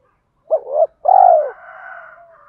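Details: A spotted dove decoy calls to train newly caught doves with a single phrase: a rapid wavering double note, a short pause, then a long, smooth, falling coo. A faint hum lingers after it.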